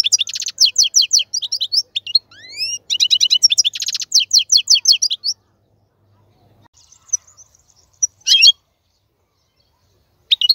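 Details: Wild-caught male European goldfinch, recorded as a singing tutor for chicks: about five seconds of rapid tinkling twitters and rising whistled slurs, then near silence broken by a soft note and a short twitter burst.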